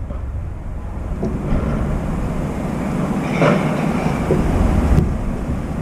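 Steady low rumbling and rattling like a passing train, with a few faint knocks and no clear animal voice.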